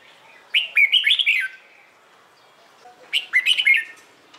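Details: Morning song of a red-whiskered bulbul, meant to draw out singing from newly caught birds. Two bubbling phrases of five or six sharp, slurred whistles, each lasting about a second, roughly two and a half seconds apart.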